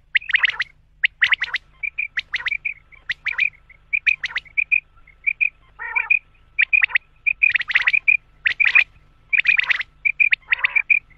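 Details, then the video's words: Male common quail calling loudly and continuously in sharp, bright note clusters of two to four, with brief soft peeps between them and one rough, lower burst midway. "quail sound male/quail sound/common Quail sound"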